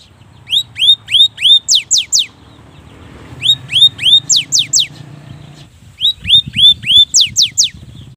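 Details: Cinereous tit song used as a lure to prompt lazy birds to sing: bright, clear notes sliding downward, given in quick runs of about eight with short pauses, over a low background hum.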